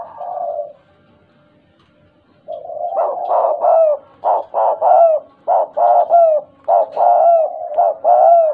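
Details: Spotted dove, tame and an eager singer, with stuttering (gagap) cooing: one soft coo, a pause of over a second, then a rapid burst of short, clipped hooting coos repeated in quick succession, slightly buzzy and rolling.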